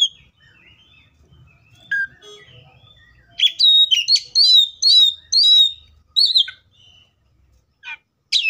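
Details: Wild Oriental magpie-robin: soft scattered notes, then a loud burst of rapid whistled and chattering notes repeated about twice per second, followed by isolated calls.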